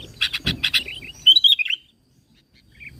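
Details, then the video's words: Sooty-headed bulbul song used as a lure for other bulbuls: a burst of rapid chattering notes, then a few bright, slurred whistled phrases, ending in near silence. "PANCINGAN KUTILANG GACOR SUARA ASLI"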